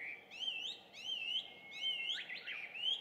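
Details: Chinese hwamei singing at dawn around 5:30, recorded from a house in Japan in June 2019; loud clear whistles rising and falling in looping phrases about every half second, ending in a jumbled burst.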